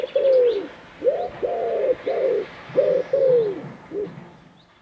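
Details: Common wood pigeon, a male cooing while courting its female, wild. Low, hollow cooing notes around the same pitch in a rhythmic phrase: a short coo, then three longer ones, a pause, and two more coos with a brief final note; faint chirps from other birds behind.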